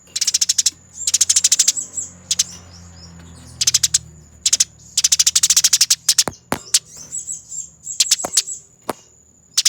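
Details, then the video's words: Training master of a fighting Eurasian tree sparrow: repeated bursts of fast dry chattering ticks, then scattered single sharp clicks toward the end, with a continuous faint high-pitched tone. "Masteran Burung Gereja Tarung Ngerol Abis, Nyerecet Speed Rapat dan Jernih"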